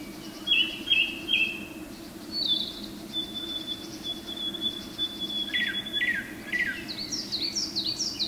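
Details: A male Japanese thrush sings in forest as morning sun comes in, Mount Garyu, Hiroshima, 23 May 2019, with clear whistled phrases: three quick notes, a long thin whistle, falling slurs, rapid high notes; coal tits and narcissus flycatchers also call.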